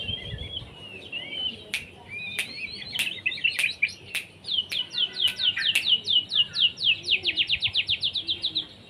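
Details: White-rumped shama singing a varied phrase of chirps broken by sharp clicks, then a fast, even trill of repeated downslurred notes toward the end.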